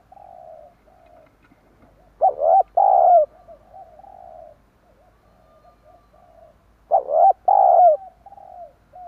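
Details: Spotted dove cooing, played to lure wild doves: soft low murmuring coos broken twice by a louder two-part coo phrase, the pattern repeating about every five seconds in a quiet setting.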